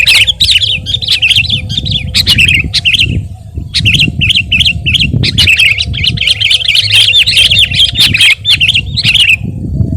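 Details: Sooty-headed bulbul singing energetically, a recording meant to tutor and lure other birds: rapid bubbly warbled phrases run almost continuously for ten seconds, with sharp clicks and a steady low rumble underneath.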